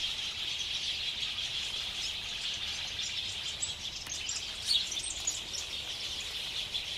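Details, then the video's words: Dusk roost of house sparrows at Ngahinapouri in New Zealand's Waikato, late summer, February 2021, captured on clip-on omni mics with a Zoom H5: continuous massed chirping and twittering, with a few brighter individual chirps standing out near the end. "Sparrows roosting at dusk"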